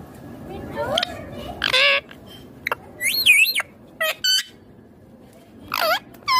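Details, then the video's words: Indian ringneck green parrot talking: mixed voiced phrases, a high wavering twisted syllable, short clicks and a final downward-curving harmonic call, with soft background noise throughout. "Indian ringneck green parrot amazing talking clear sounds"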